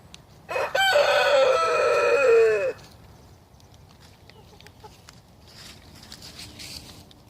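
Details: Rooster crowing in the morning, one of several roosters: a single loud, harmonic-rich crow lasting about two seconds, held steady then falling at the end, followed by quiet background with faint distant sounds.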